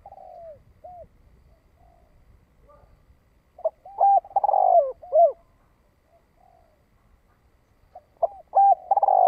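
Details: Spotted dove calling in the "thổ đồng" voice style to lure wild doves in: mellow low cooing phrases with short hooked notes, given in separated bursts, some loud and distorted, with near silence between.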